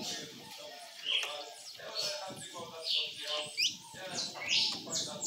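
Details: Red-cowled cardinal singing in the açoite song style: short, bright whistled and slurred high notes in quick bursts about once a second, some sweeping sharply up or down, over soft murmuring human voices.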